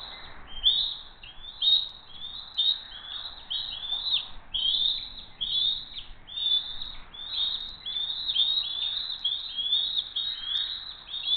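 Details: Bald eagle family at Hays flying in for dinner, June 22, 2023, evening: high, thin chirping calls with falling inflections, about one per second in a steady run, over faint low background rumble.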